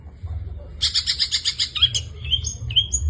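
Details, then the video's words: Long-tailed shrike singing: a quick burst of harsh rattling chatter, followed by several separate clear whistled notes that slide upward, over a low background hum. "burung pentet gacor full isian"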